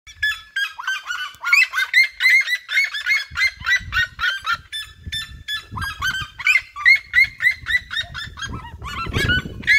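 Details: Red-legged seriemas, a flock in open fields of the region, singing around the recordist: loud yelping notes repeated about three per second, overlapping voices in a rising, excited chorus, with low rumbling handling or wind noise beneath.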